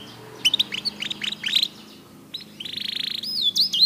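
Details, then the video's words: Black-red mosaic canary giving short rising chirps in a loose run, followed by a brief buzzy trill and a clear, wavering whistled phrase. "BEAUTIFUL SONG OF BLACKRED MOSAIC CANARY"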